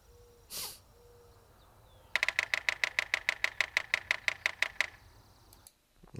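Yellow-bellied sapsucker drumming: about seventeen sharp wooden taps over nearly three seconds, quick at first, then spacing out. A soft thump comes before it in a quiet room.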